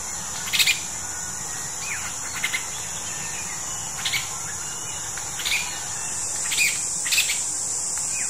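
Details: A juvenile Masked Laughingthrush gives short, harsh, scratchy chirps about every one to two seconds over a steady high insect drone, recorded in May 2021.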